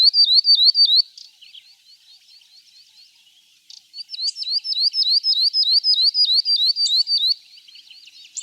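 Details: Northern grosbeak-canary uttering loud, sharp down-up whistled notes at a brisk regular pace, with a softer stretch of faint chattering between two strong bursts.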